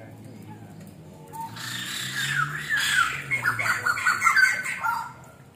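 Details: White-crested laughingthrush in a master training recording: after a quiet start with faint speech, a loud harsh burst of raspy, cackling squawks with rapid rising and falling notes runs for about four seconds, then fades.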